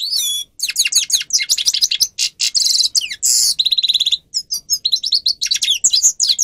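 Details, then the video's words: Grey-crowned goldfinch, a training recording for captive birds, pouring out continuous high twitters, dense buzzy rasps and brief trills in quick succession, with only short gaps. "(Carduelis caniceps) Goldfinch song Best for training"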